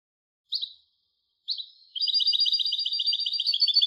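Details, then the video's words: European goldfinch hybrid: two separate short high chirps, then a continuous fast rattling trill of evenly repeated twittering notes. "تغريد هجين الحسون Canto De Mixto del Jilguero"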